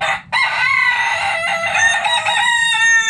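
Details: In a backyard chicken coop, a rooster gives a loud, sustained, harmonic crow that runs almost the whole moment, slightly falling in pitch at its end, with a low hum beneath.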